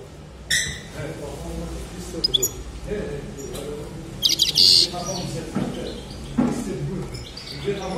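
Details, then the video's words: European goldfinch (maknine) singing in scattered bright, high twittering bursts and short buzzy notes, the loudest near the middle, over a low rumbling background with some faint voice-like sounds. "مقنين قوة نار"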